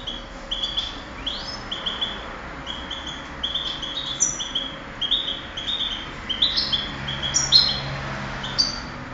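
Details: Contest-bred European goldfinch singing, 2008 recording: a continuous run of bright, high, clipped whistles and twitters, growing denser and louder toward the end, over a faint low hum.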